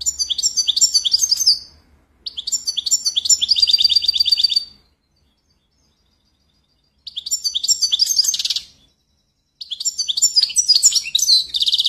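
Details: European goldfinch song in four separate bursts of bright, fast twittering, each lasting about two seconds, with buzzy rattled notes mixed among liquid chirps and short silent pauses between phrases.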